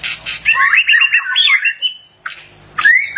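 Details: Mating white-rumped shama: two harsh hissing squawks open, followed by a rapid run of looping whistled notes, a pause, then short sharp whistles and one upward-sweeping note.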